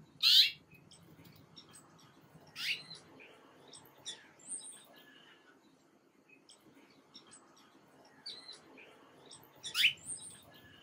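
Black-capped chickadee giving three loud, sharp chips spaced several seconds apart, with softer high thin notes between, against a quiet background.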